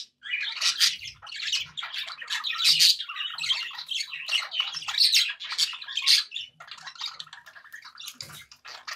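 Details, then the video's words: Several pet budgies sounding happy, keeping up a long run of busy, scratchy warbling packed with sharp chirps and squeaks, easing slightly toward the end. "happy budgie sounds"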